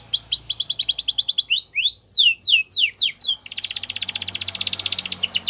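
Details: Canary in full song: rapid repeated notes form a rolling trill, followed by slow looping downslurred whistles, then a long, fast, even trill to the close.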